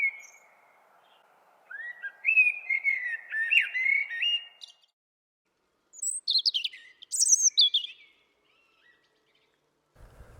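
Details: A Common Blackbird, among the first birds to sing at dawn and the last in the evening, sings a loud, slow, mellow fluted warble ending in less pure, high, thin squeaky twittering, a phrase lasting about six seconds.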